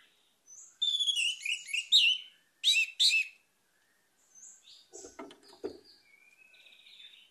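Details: Orange-headed thrush delivering a dense, rapid run of high twittering and whistled notes, followed by two sharp phrases, then softer low scratchy noises and faint thin whistles.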